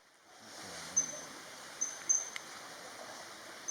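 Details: Blue-banded Kingfisher of a pair excavating a nest burrow by a fast-flowing forested stream in Kaeng Krachan National Park, Thailand, gives three or four thin, piercing, very high notes, single and paired, over rushing water; the call resembles Common Kingfisher.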